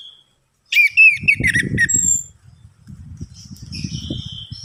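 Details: Orange-headed thrush song used as a lure to make reluctant birds sing: a burst of bright, varied whistled notes and rapid chirps lasting about a second and a half, over low dull knocking and thumping sounds, followed by softer high twittering.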